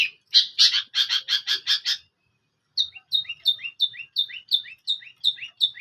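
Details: Long-tailed shrike: a quick run of harsh chattering notes, a short silence, then repeated two-part whistled notes sliding downward, about three each second.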